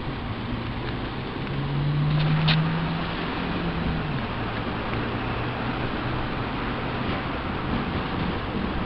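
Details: Steady low vehicle rumble with a brief swelling hum, no animal voice heard.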